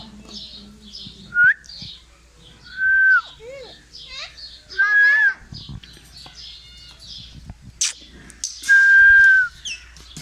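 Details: Pet Indian ringneck parakeet chirping and mimicking: loud sustained flat whistles near two seconds apart alternate with quieter mixed chatter and speech-like mumbling, some phrases sounding like talking, with a sharp click near the eight-second mark.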